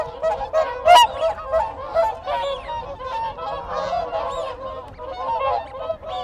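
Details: Contact calls from a group of whooper swans heard up close: rapid, irregular honking notes tumbling over each other, several loud bursts, with Wigeon and Canada geese calling in the background.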